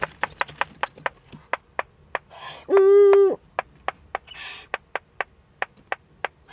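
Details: Nest of wild Eurasian eagle-owls in northern Rhineland-Palatinate, Germany, filmed 15 May 2013 during an owlet's first contact with an adult. A fast series of crisp clicks surrounds one loud, level, harmonic call lasting half a second, plus breathy hisses.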